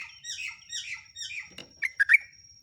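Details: Sooty-headed bulbul song used as a lure for training captive birds: a run of three falling, slurred notes, a pause, then a few short, bright chirps. A steady high tone runs throughout, with faint low background noise.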